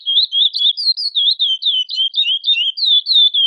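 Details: Female chestnut-bellied seed finch soliciting mating, calling insistently: a rapid run of short, high, slurred chirps, about four per second, each dipping and rising, delivered in an unbroken stream with no other sounds.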